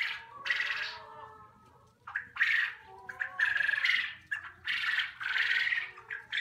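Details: Young quail at a poultry unit calling in a dense series of rough, buzzy squawks, overlapping bursts coming about every half second with some thin tonal notes underneath.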